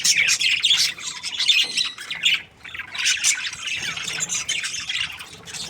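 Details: Budgerigar breeding pair chattering happily: bursts of shrill squawks and warbled chirps, some pure whistled notes, rising and falling in loudness with short gaps between phrases.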